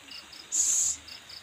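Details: Owl feeding its young: a single bright, breathy hiss of roughly half a second rises above a background of pulsing crickets.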